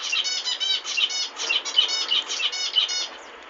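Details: Zebra finches singing: a fast run of nasal, buzzy notes with stacked harmonics, repeated about three times a second, with quiet trailing off near the end.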